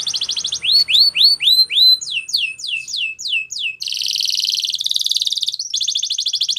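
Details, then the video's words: Canary song used for training, loud and clear: series of upswept whistled notes repeated about twice a second, then a dense buzzy high roll and a rapid rattling trill. "Canary singing Bird Sounds At Its Best | Melodies Canary Bird Song"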